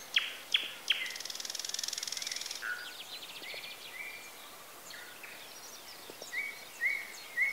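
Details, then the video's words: Birdsong recorded in Bessarabia, Ukraine, with a Zoom H4n: sharp high chirps open, a buzzy rattling trill follows, then clear level whistled notes repeat from several birds, with faint rural background noise. "Sounds of nature. Birds. Звуки природы.Птицы"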